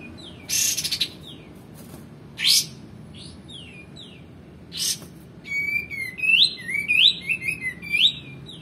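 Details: For teaching songbirds, a male white-eared bulbul gives scattered harsh bursts and short falling whistles, then a rich run of repeated swooping whistled notes in the final seconds.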